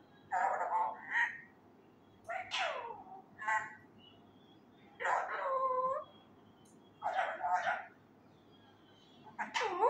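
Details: Untrained male Indian ringneck parakeet practising human words loudly, phrases like "kia bol rha ho" and "kia hogaya": raspy, voice-like syllable groups with wavering, bending tones, about six clusters over ten seconds, with quiet pauses between.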